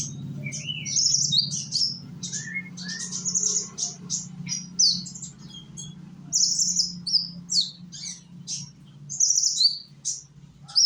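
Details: Young Indonesian sunbird singing to lure other sunbirds into song; scattered bursts of thin, high twitters and short slurred notes with a few lower chirps, over a faint low hum.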